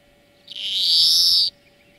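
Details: A single long, rasping wheeze held for about a second at even pitch, part of a European greenfinch song lesson for training birds, with a quiet steady hum in the background.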